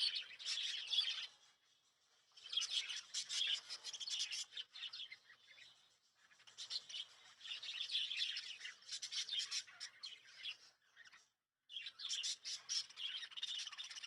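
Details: Lovebirds at home during sleeping time at night give repeated bursts of high, scratchy chirping and twittering, each lasting two to four seconds with short quiet breaks, the longest silence near eleven seconds.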